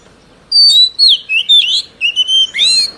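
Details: Old wild-caught Oriental magpie-robin in song, used to tutor young birds: a series of clear, pure whistled notes, some steady and some sharply falling or rising, over a faint hiss.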